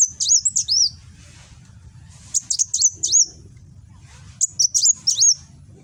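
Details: Kolibri wulung sunbird in Gresik, East Java, singing nembak style; phone recording shows three phrases of fast, high twittering with downward-looping whistles, about two seconds apart.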